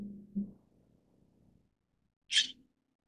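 A White-cheeked starling gives one short, harsh, rasping note, after a low hum at the start.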